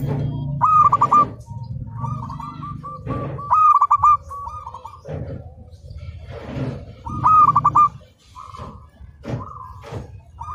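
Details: Local zebra dove on a training master recording: trilled cooing phrases repeated among softer level coos, with loud knocks and low rumbling noise throughout.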